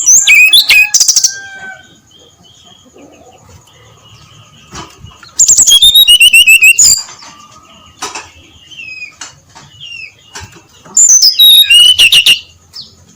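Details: At dawn, a brown-chested jungle flycatcher gives three loud bursts of rapid, high, sharp whistled notes in the clear ngeplong style. Quieter scattered chirps and thin whistles fill the gaps between bursts.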